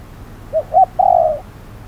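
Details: Decoy spotted dove calling during a trapping session on a hot midday; two quick soft coos followed by one drawn-out level coo, with faint low background rumble.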